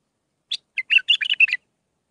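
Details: Bulbul song in the Mandalawi style of six phrases, played for training young birds: a sharp opening note, then a rapid run of rich warbled and whistled notes lasting about one second, over a silent background.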